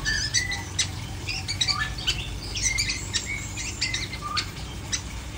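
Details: Varied long-tailed shrike song with sharp clicks, short whistles and scratchy chirps in quick, irregular succession; a low steady hum sits beneath.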